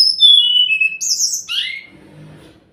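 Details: Sumatran laughingthrush lure song to make a silent bird respond: loud, clear whistles sliding downward, then a high buzzy note and a falling whistled slur, fading into soft low rustling.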